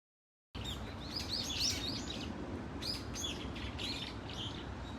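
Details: Brown-eared bulbuls in a flock at Dunsan Grand Park, giving scattered high, squeaky chirps and short harsh notes in loose bursts over a steady low background rumble.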